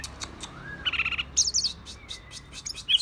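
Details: Green leafbird in an agitated state giving quick bursts of high chirps and buzzy trills, with a faint thin whistle sliding between them over a low background hum.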